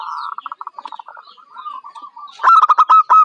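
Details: A young local Zebra dove, kept as a bold contest bird, coos in a rapid series of soft, mid-pitched rolling notes. These end in louder, emphatic repeated coos with a slightly rising, ringing quality.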